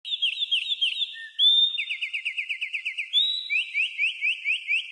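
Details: House wren singing in nature, its classic song: quick runs of bright slurred notes, rising or falling, repeated in even series, with a sustained whistled note between phrases and a clean, quiet background.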